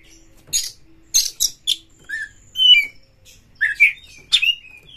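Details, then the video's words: Oriental magpie-robin used as a lure to provoke aggression and a search for a fighting rival: bursts of harsh, buzzy notes followed by clear slurred whistles and sweeping upslurred phrases, separated by short pauses. "kacer MENCARI LAWAN TARUNG Pancingan Kacer GACOR bikin jebolnya birahi EMOSI BONGKAR ISIAN buka ekor"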